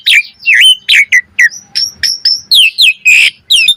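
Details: Asian pied starling singing a varied training song, a quick sequence of looping whistled notes, swooping slurs and short harsh rasps, each phrase separated by brief silences.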